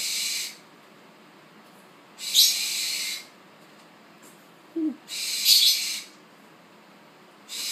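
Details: A Tropical (Spix's) Screech Owl chick born 1 September 2013, eyes not yet open, begs at its first feeding with harsh, high, breathy hisses about a second long, repeated every two to three seconds.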